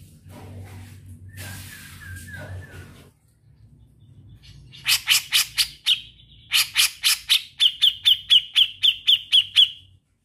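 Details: Grey-cheeked bulbul (cucak jenggot) singing energetically with trills. Low background hum and a brief wavering note open the clip, then loud harsh chattering notes lead into a long, even run of rapid, high, repeated trill notes.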